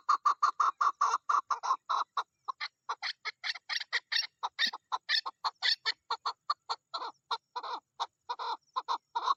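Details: Female chukar partridge calling in the mating season: a fast run of harsh, clucking chuk notes, several per second, loud at first, then mixed higher notes, then settling back into steady repeated chuks.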